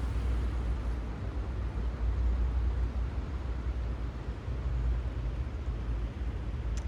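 Deep rumbling engine and road noise from passing vehicles fills the recording, rising and falling in loudness, with no animal calls.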